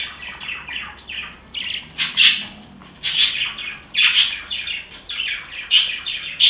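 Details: Happy budgerigars chirping: bursts of rapid, scratchy, high warbling chatter in uneven pulses, some notes sharper and louder, with short quieter gaps between bursts.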